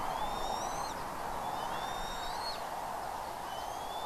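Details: Bald eagle calling at a nest in Redding on the morning of 25 April 2021, 07:00: high, thin piping whistles that climb then drop sharply, repeated in quick strings, with a steady background hiss.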